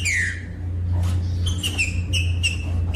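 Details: Brief green-winged saltator song played to stimulate birds of its kind: a falling whistle followed by short clear whistled notes, partly masked by a strong steady low hum.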